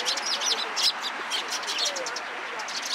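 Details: A group of sparrows visiting a cherry tree at a Tenmangu shrine, Japan, recorded 24 March 2023, chattering with quick sharp chirps, a louder burst near the start, against steady ambient noise.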